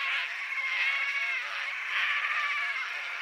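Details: Painted stork moaning at the nest: continuous layered nasal drones that rise and fall slightly in loudness without a break, like several birds calling together.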